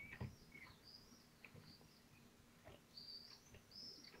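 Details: Kestrel family at their nest in Théding, France, 25 June 2023, during a feeding with prey tugged apart; high, thin drawn-out whistles come in short bursts with soft rustling below.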